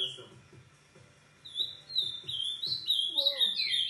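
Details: Ultramarine grosbeak song late at night, past 11 pm: after a quiet opening with a soft low hum, a burst of quick warbled, down-slurred phrases rises in loudness and continues to the end.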